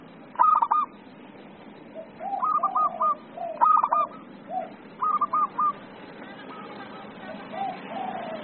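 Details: Zebra dove (perkutut) giving 'emosi' song, the excited style: clipped, stuttering coo phrases come at irregular intervals, mixed with softer, lower coos, and fade toward the end.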